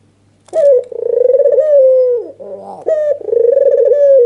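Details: White, red-eyed Barbary dove in an excited nodding display meant to stir a rival into calling. After a short silence come two long vibrating coos, each sliding down at the close, joined by a softer rising note.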